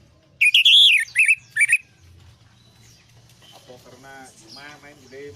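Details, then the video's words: Lure song of the orange-headed thrush for a stressed bird that stopped singing: a short burst of rich, rising-and-falling whistled notes, followed by quieter harmonic murmuring that resembles faint speech. "pancingan Anis merah setres dan macet bunyi"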